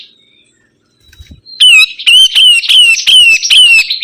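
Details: Sibuntung bird singing vigorously: a loud, harsh series of about eight repeated squawking notes, each dropping slightly in pitch, delivered in quick succession.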